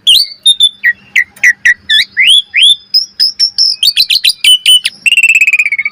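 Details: Master song of an Asian pied starling for training other birds: rapid varied phrases of upslurred whistles, then fast clicking trills and a long harsh buzzy rattle at the close.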